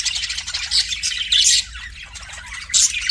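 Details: Pet budgerigar before a mirror gives short bursts of scratchy chirping warble, louder pulses near the middle and end separated by quieter murmuring chatter.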